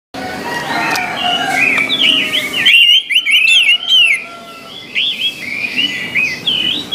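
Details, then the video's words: Orange-headed thrush song, played to train other thrushes to sing: varied whistled phrases, some rising and some slurred, come in quick succession, with a burst of sharp high chirps midway and low background hiss. "MELATIH SUARA ANIS MERAH AGAR CEPAT GACOR"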